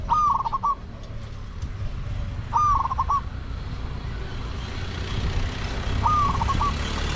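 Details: A spotted dove decoy luring wild doves repeats a rapid, trilling coo three times, each about half a second long, against constant hissing background noise.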